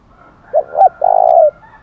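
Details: One full challenge phrase from a spotted dove in the 'thổ đồng' voice, given to incite fighting: two short rising notes, then a long, level, mellow coo that tails off downward.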